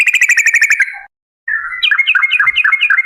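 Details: Yellow-vented Bulbul female used as a singing lure: a quick series of bright, regular chirps, a brief silence, then a bubbling, wavering chatter of rising and falling notes.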